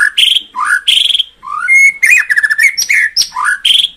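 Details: Loud, continuous white-rumped shama song used to stimulate caged birds: rich fluting whistles alternating with rapid rattling trills and slurred phrases, sung almost without pause.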